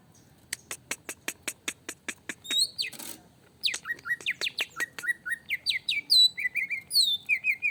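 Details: Greater green leafbird provoked into emotional singing: a fast series of sharp clicks about three per second, a brief noisy burst, then varied whistled and slurred notes rising and falling in quick succession.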